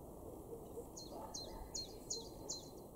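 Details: Common Chiffchaff singing in a garden in Weener, East Frisia, far northwest Germany, April 2022; five short, high, slightly falling notes repeated at an even, quick pace over a steady hiss of background noise.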